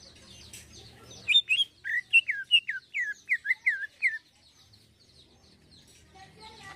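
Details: Greater green leafbird in lively 'isian halus' song, with fine filler notes: after a faint, noisy start comes a burst of about nine sharp whistled notes that bend downward, then faint background chatter.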